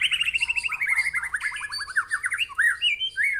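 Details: Aggressive 'tembakan' from a real white-rumped shama: a fast rattling series of mid-pitched notes that slides downward, then looping whistled slurs and twists.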